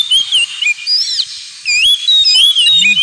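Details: Oriental magpie-robin in ngemplong song for pet-bird therapy: clear looping whistles and sliding notes in uneven bursts with a short quieter gap midway, ending in lively whistles and a low brief sound underneath.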